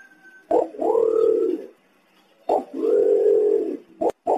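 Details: Green imperial pigeon, a clear recording of the real bird meant as a lure to draw pigeons in. Deep, hollow, drawn-out humming coos about a second long, each preceded by a short sharp clipped note, repeated with pauses.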